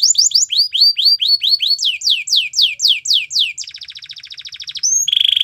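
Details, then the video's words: Singing canary: rapid rising-falling whistled notes repeated several times a second, slower loud down-sweeping phrases, a buzzy stuttering trill, then a high steady ringing trill. "The BEST Canary Sounds!! Canary Training"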